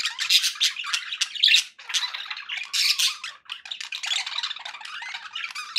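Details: Happy pet budgerigars chattering in quick scratchy bursts and squeaky chirps, with a couple of brief gaps between the busier passages.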